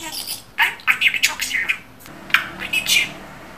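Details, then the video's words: Budgerigar speaking clear imitated words: two short phrases of raspy, high-pitched syllables separated by a pause. A faint, steady hum lies underneath. "İNSAN KADAR NET KONUŞAN MUHABBET KUŞU"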